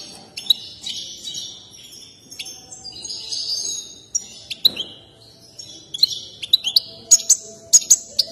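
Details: Excited European goldfinch singing while dancing, a favourite among keepers: scattered high tinkling notes and sharp chirps, growing into rapid bright clicks and ticks toward the end.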